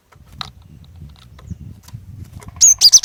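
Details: Female cinereous tit luring song aimed at males: after a stretch of soft rustling noise, one loud phrase of three shrill high chirps at the end.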